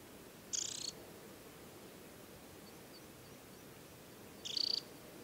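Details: Summer adult Temminck's stint with leg rings beside Tinnhølen lake, Hardangervidda, Norway, early July; two short, shrill, pulsing trills about four seconds apart against a quiet hiss.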